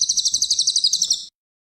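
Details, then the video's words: Champion cililin singing as a tutor recording, a fast, steady run of around thirteen sharp, high-pitched chirps in just over a second, evenly paced and cut off suddenly, over a nearly silent background. "CILILN MASTERAN BURUNG JUARA"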